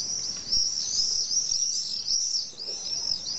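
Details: An unbroken run of piercing, high trilled screams from common swifts at a colony of about twenty pairs in a hillside retaining wall in Nice, France.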